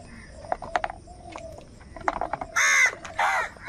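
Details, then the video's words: Angry crows, said to be fighting for food, give two loud, harsh, drawn-out caws close together near the end, after a stretch of faint clicks and small chirps. "All types of crow sounds - Angry kauwa ki awaaz | Crow bird unity anger and sound for food"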